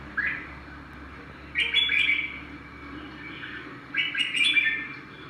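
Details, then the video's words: Songbird delivering two lively bursts of chirpy, twittering notes separated by a quiet pause, with a soft continuous low hum underneath. "Chim hót thế nào mọi người"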